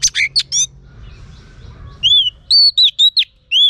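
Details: Female Oriental magpie-robin calling to stimulate males: opens with a few loud rasping chirps, then after a quiet pause gives a series of sharp, clear, slurred whistles, each bending up then down, in quick succession.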